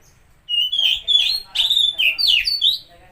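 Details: Oriental magpie-robin (kacer) song meant to trigger a stressed or silent bird: a rapid run of loud, clear whistles, rising and falling slides linked into a rich phrase, with no other sounds.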